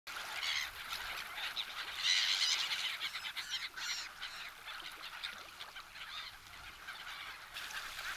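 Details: Wild black-headed gulls in winter at Kasumigaura Park, Tsuchiura city, Japan, gathering while people feed them: a flock gives harsh, screechy, overlapping calls in quick succession, some louder near two seconds.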